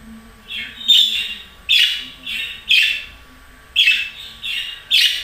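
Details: Budgerigar making a rapid run of harsh, buzzy squawks, about one per second, each a rough burst that falls slightly in pitch.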